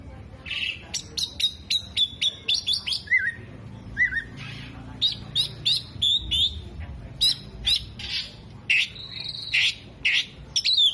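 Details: Mimicking Oriental magpie-robin delivering imitations of hummingbird, whiskered bird and lovebird: quick high chips and whistled phrases, interrupted by short falling two-note calls, then more irregular buzzy bursts.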